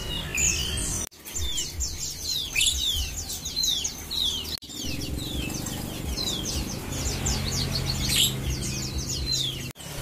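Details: Several Javan pied fantails in Pemalang, Central Java, sing over one another: squeaky, rapid, rising and falling whistled runs over a low steady hum, with a few abrupt cuts.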